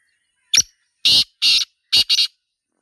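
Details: Black francolin in the wild, locally Sindhi teetar, delivering its call: a thin sharp lead-in note, then four loud grating, scratchy notes in a rhythmic series, the final two paired tightly.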